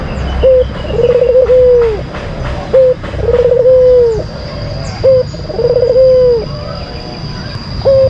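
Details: Lure song of a white collared dove kept in Indonesia. Three phrases, each a brief low note followed by a stuttering trill that smooths into a sustained coo dipping at its close. A steady electronic whine runs throughout.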